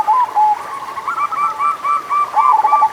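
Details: Local zebra dove (perkutut lokal) cooing, meant to spur doves that sing little: soft, rounded, slightly nasal coos in a steady rolling series, tones layered and overlapping.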